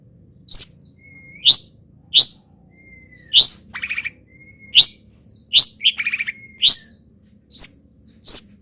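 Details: Local long-tailed shrike borrowing wild bird phrases while in molt: bright rising upslurred notes at steady intervals, a thin flat whistle drawn out between some, and two short dry rattles.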